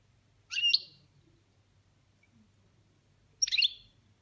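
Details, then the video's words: A kept goldfinch delivers boniments: two short, rasping, scratchy bursts of high notes, about three seconds apart, with near silence between them. "Chardonneret boniments"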